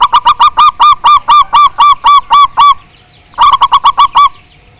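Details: Zebra dove, local Javanese bird, on a lure recording meant to make others sing. A long, fast, regular series of bright, clipped notes stops briefly, then resumes as a quicker run that trails off.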